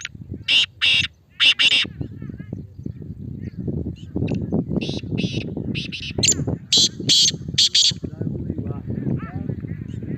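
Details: Male black francolin calling twice: two loud grating double notes at the start, then a longer sequence of harsh, scratchy notes later, all over a steady low murmur of background noise.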